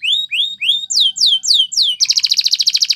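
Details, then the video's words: Rising whistled notes, then quick falling slurs, then an even, fast pulsed trill, sung by a Belgian canary as training song. "The Singing Belgian Canary | Canary Training Is Effective"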